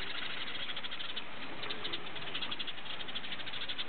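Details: A flock of house sparrows at Opole Zoo, Poland, chirp together in a dense, unbroken chatter of short, high cheeps over a low background rumble.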